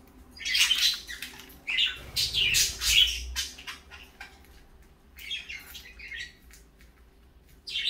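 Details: Several sharp, high chirps and short squawks from parakeets in the morning, arriving in uneven clusters with brief quiet gaps and a low thump partway through.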